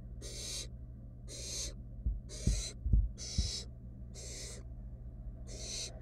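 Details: In a monitored nest box, a barn owl nestling snatches a rat its sibling failed to swallow; rapid breathy hissing screeches, roughly two a second, with a few thumps and knocks mid-clip and a constant low hum.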